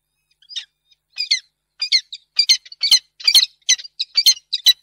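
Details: Female peregrine falcon refusing a food gift, recorded 10 March 2022 in Reda: a run of harsh, scratchy, chattering calls, first spaced, then coming faster in clustered bursts of two or three notes.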